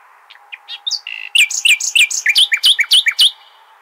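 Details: Al-Hasaniya nightingale song played to tutor goldfinch and hybrid chicks: a few soft introductory notes, then around twenty loud slurred notes repeated briskly and evenly.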